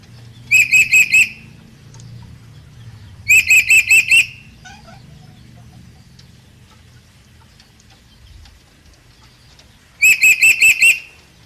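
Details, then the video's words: A red lory learning to call gives three bursts of five quick, harsh, screechy notes, with long pauses between bursts over a low background hum. "Burung nuri merah gacor"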